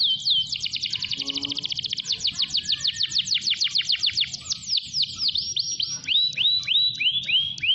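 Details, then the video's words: Canary song for tutoring other canaries to sing: fast high trills of rapidly repeated notes that speed up, then slower, swooping, downslurred whistles, continuous and bright. "KENARI GACOR DURASI PANJANG UNTUK PANCINGAN KENARI ANDA"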